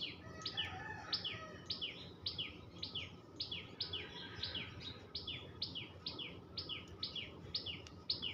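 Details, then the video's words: Tuntuni, the tailorbird, chattering with a brisk series of high, clipped, falling chirps repeated almost twice per second, fairly even in pace, over a low rumbling background. "টুনটু‌নি পা‌খির ডাক l Tuntuni birds chirping sound l Tailor bird chatter"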